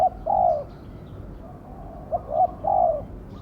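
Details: Decoy spotted dove cooing at a trapping pen to lure wild doves. Low, mellow two-part coo phrases, a short note then a longer falling one, over a steady low background hum.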